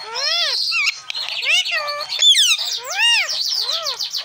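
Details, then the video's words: Tame green parrot talking, a series of rounded arching vocal syllables about every half second, rising then falling like spoken words, mixed with thin high chatter and one sharp squeal mid-phrase. "Green Parrot NonStop Talking"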